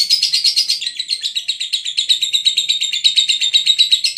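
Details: Lovebird from Brebes, Indonesia, giving a continuous shrill chattering run of rapid high buzzy notes, roughly three per second, pulsing unbroken through the whole stretch with no other sounds.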